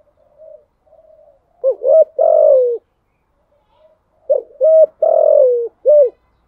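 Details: Spotted dove cooing in the thúc gù song style: two soft murmured notes, then a phrase of short hooked notes ending in a long, gently falling coo, repeated once with an extra clipped note.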